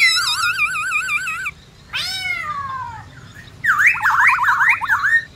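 White-browed laughingthrush singing a varied phrase: a wavering, siren-like whistle, a falling slurred note, then a fast loud warble zigzagging up and down.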